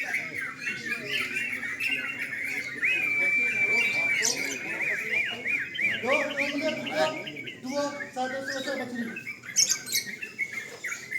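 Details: Sooty-headed bulbuls singing at a night-time bird singing contest: dense overlapping bright chirpy phrases and slurred whistles, with one long level whistle, while people talk in the background.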